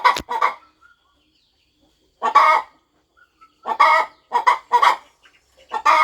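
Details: A mother hen on a quiet farm, fluffing over her nest as hatching nears, clucks; an opening pair of clucks, a long silence, then single and paired harsh clucks spaced roughly half a second apart.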